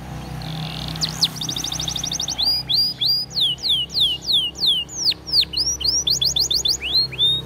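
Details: Belgian canary, a caged song bird recorded as training song, opening with a high steady note and a fast buzzy trill, then a long series of loud downward-sweeping whistled notes, about three per second, varying in pitch.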